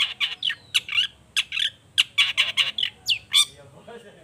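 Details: Long-tailed shrike in vigorous song, used as a lure to stir other shrikes to answer: dense run of harsh, scratchy chatter notes with a couple of sharp sweeping squeaks before fading.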